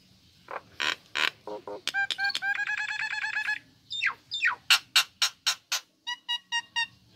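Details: Female Nias hill myna kept in captivity chattering: broad harsh notes, a sustained trilled harmonic phrase, downward-sweeping calls, then a rapid run of loud, evenly spaced sharp notes.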